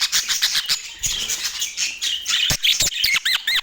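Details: Budgies in Portland giving a lively run of separate scratchy chirps and squawks, ending in several clear rising-and-falling whistled notes.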